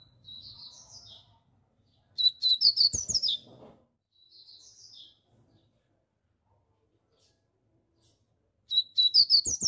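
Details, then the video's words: A rusty-collared seedeater sings forcefully, alternating soft warbled phrases with loud, rapid bursts of sharp high chirps, the loud burst recurring about every six seconds. "coleiro pardo Cantando forte"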